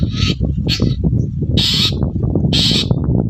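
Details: Long-tailed shrike singing actively in the morning, used as a lure to make other shrikes answer: four loud, harsh, rasping bursts about a second apart over a steady low rumbling hum.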